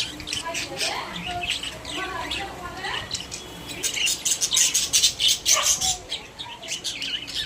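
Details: Caged pet budgerigars, shown as happy and sociable: soft speech-like murmuring at first, then dense, fast trains of high, ticking chirps and squeaks crowding the second half.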